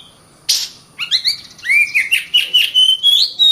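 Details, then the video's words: Singing Oriental magpie-robin, a caged contest bird: a sharp rasping note, then a rhythmic string of rising whistled syllables repeated nearly twice a second, growing louder and higher toward the end. "BURUNG KACER GACOR RAPAT"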